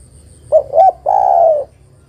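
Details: Low cooing from a female spotted dove calling a male, a lure recording: two brief rounded hoots, then a sustained, slightly falling coo lasting about half a second, clear against near silence.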